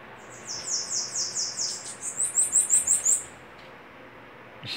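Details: Bananaquit singing duel: one long phrase of rapid, high, wheezy notes, sliding from broader buzzy notes into sharper clipped ones, then silence and a brief knock at the end.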